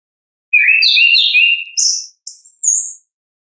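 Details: Orange-headed thrush singing ngeplong-style, natural voice: after a short pause, a fluid warbled phrase of layered whistles, then two clear high sustained notes, one gently wavering.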